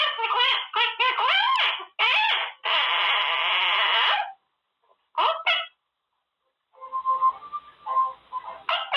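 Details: Male Quaker parrot in his cage practising new words: bursts of harsh, harmonic squawky chatter, a sustained buzzy call around the third and fourth seconds, two short squawks, then softer tonal notes near the end.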